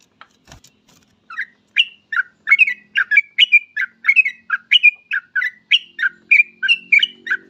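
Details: Yellow-vented bulbul singing actively, used to draw other bulbuls into song: a bubbly run of short, varied, gurgling whistled phrases, about two per second for six seconds, with a faint low hum underneath.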